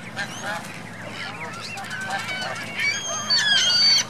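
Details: Goslings and geese on Virginia Lake, Reno, 2 May 2013: many thin, high whistled peeps overlapping, growing louder toward the end with piercing, drawn-out high notes over a faint low hum.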